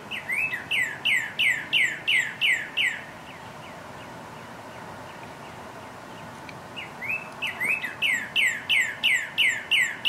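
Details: Northern cardinal mating call in spring: loud, clear down-slurred whistles, about three per second, in two bursts of eight or nine notes separated by a pause; faint steady background hum.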